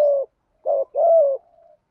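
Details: Spotted dove in the Thổ voice style, played to rouse long-silent wild-caught caged doves: three low buzzy coos, the last longest and gently falling, trailing into a faint soft murmur.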